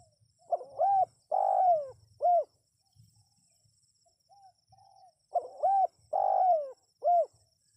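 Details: Spotted dove calls used to lure wild birds: two phrases of loud coos, each a short note, a long sliding note and a clipped ending note, separated by a pause with faint soft coos.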